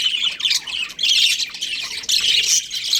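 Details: Breeding budgerigars calling in rough, scratchy squawk bursts roughly once a second, each burst loud and broad, with brief quieter gaps between.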